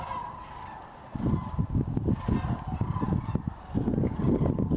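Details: Sandhill cranes overwintering at the Hiwassee Wildlife Refuge near Dayton, Tennessee, on December 31, 2023; repeated rolling calls from a flock, broken by bursts of low rumbling wind or handling noise.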